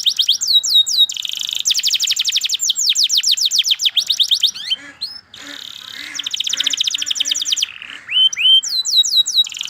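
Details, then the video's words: Canary singing long rapid rolling trills of repeated slurred notes, interrupted by a short pause with soft low chatter, then resuming with buzzy trills and hooked whistles. "KENARI Gacor PANJANG Cuit Cuit EMOSI"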